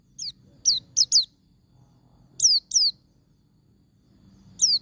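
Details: Wild-type white-eye song to stimulate caged birds: sparse, high, descending whistled chirps in small groups of two or three separated by pauses, faint background hum.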